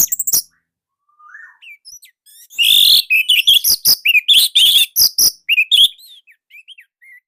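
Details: Orange-headed thrush, Indonesia, with a tight, loud song used to teach other captive birds. A short slurred whistle leads into an energetic stream of rapid sharp notes, ending in softer scattered whistles.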